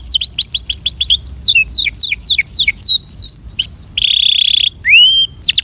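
A Belgian canary sings a fast, high series of repeated downslurred notes. It breaks into quick trills, then a steady buzzy tone and a rising whistle.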